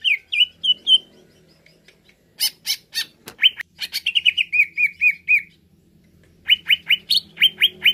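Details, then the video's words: Greater green leafbird sings bright, slurred whistles in quick runs of four to eight notes, broken by a few sharp, harsh chips. "Merangsang Cucak Ijo Cepat Naik emosinya"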